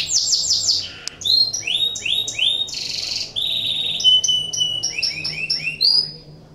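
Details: Canary in breeding condition, song used to stimulate other canaries: a varied high song of rapid trills, sweeping whistled slides and a sustained buzzy note, phrases changing every second or so.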